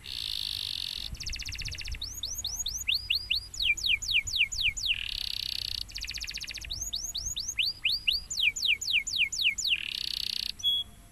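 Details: Champion canary delivering loud song: buzzy rolling trills alternating with repeated series of fast rising whistled sweeps, about four per second, cycling twice in quiet surroundings.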